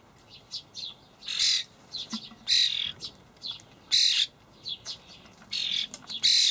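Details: Common starling young begging from parents feeding dried buffalo worms, Hamburg allotment garden, 28 May 2012; grating, scratchy rasps alternate with softer clicks and chips, about six loud bursts in irregular succession.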